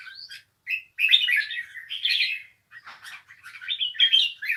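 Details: Bulbul in song, giving clear whistled notes followed by rich warbling phrases and a burst of scratchy chatter, with short silent gaps between runs.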